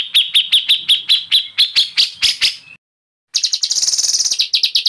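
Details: Excited white-rumped shama. Evenly spaced, ringing chip notes speed up into a rattle, then after a short pause a dense, high, buzzy trill follows.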